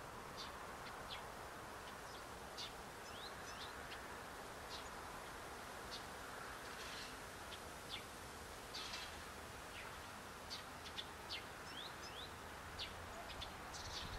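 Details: Several tits visiting a window feeder give scattered brief high-pitched calls and sharp ticking notes, irregular and overlapping at times, against constant low outdoor noise and rustling.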